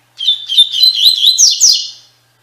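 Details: Tui Tui Fibra song of a double-collared seedeater, meant as a tutor for captive birds: a continuous run of high whistled notes with quick slurs, rising into two brighter accented notes near the end.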